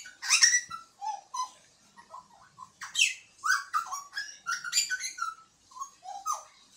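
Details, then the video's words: Butcherbird song: a harsh burst opens, then a run of mellow, varied whistled notes, some rising and some falling, alternating with short rasping chatter, delivered in quick phrases separated by brief gaps. "Butcherbird Singing"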